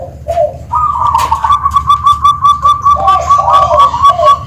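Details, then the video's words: Zebra dove of the Tuban line with a 'kristal' song, giving a long, evenly pulsed trilling coo of rapid beats, then soft lower coos. A faint high chirp sounds in the background. "Suara Kristal,perkutut Tuban"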